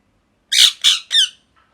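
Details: Molting pet parrot indoors giving three loud, harsh, buzzy squawks in a row within about a second.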